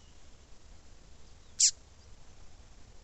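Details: A female Double-collared seedeater gives a single short, piercing call that drops steeply in pitch, used to encourage a male to sing; otherwise only soft steady hiss.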